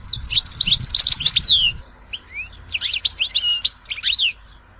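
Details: European goldfinch from Tizi Ouzou, Algeria, producing a loud, lively twitter of high chirps and sharp downslurred notes in two phrases, with faint low rumble in the background.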